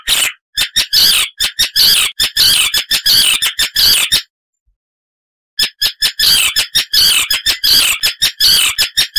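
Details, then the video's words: Icterine warbler song: bursts of loud, harsh, chattering notes in quick runs, broken by a short silence before the rapid scratchy phrases resume. "Icterine Warbler (Hippolais icterina)"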